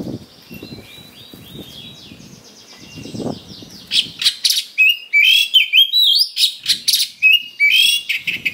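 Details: Oriental magpie-robin provocation song for fighting: soft, thin repeated whistles over low rumble at first, then loud buzzy bursts and upslurred whistles about two or three per second.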